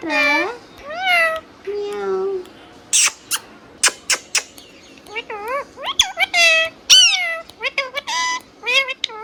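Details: Hand-tame pet green ringneck parrot talking indoors, a run of harmonic, bending speech-like syllables mixed with sharp clicks and short high whistles, the phrases rising and falling quickly, repeated in bursts across the recording.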